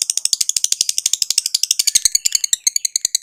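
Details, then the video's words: Lovebird chattering at length: dense, very rapid rattling chirps, roughly ten a second, high and buzzy, running without pause for over three seconds. "KICAU TERAPI BURUNG LOVEBIRD LANGSUNG NGAKAK NGACOR NGEKEK"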